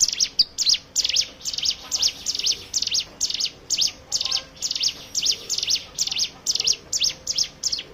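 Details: Hill prinia song serving as a lure to make other birds sing, a dense, fast chain of high sharp chips with slurred downward tails, around two per second, sustained throughout.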